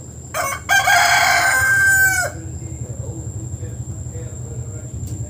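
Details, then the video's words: Rooster standing on top of a roof crows once, loud and hoarse, the call rising and then falling away over about two seconds, followed by quiet background hum. "Singing Rooster"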